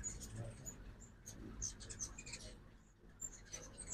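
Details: High, thin squeaky chips from ruby-throated hummingbirds at a backyard feeder in Oxford, Mississippi, on a fall migration morning, scattered irregularly over a steady low hum.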